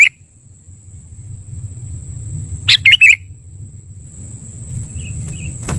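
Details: Sooty-headed bulbul call played as a trapping lure: one quick phrase of three burbling, slightly rising notes, with a faint note at the start and soft distant chirps later, over a constant high whine and low rumble.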